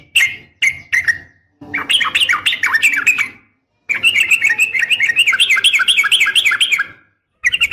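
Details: Female sooty-headed bulbul calling to a male: bursts of fast, bubbly warbled notes with repeated up-and-down slurs, separated by short silences and a few clipped opening chirps.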